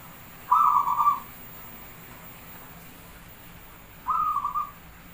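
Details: Singing perkutut Jawa, the Javanese zebra dove, in an active lure recording: two separate stuttering, trilled coo phrases about three and a half seconds apart, the first louder, with quiet hiss between.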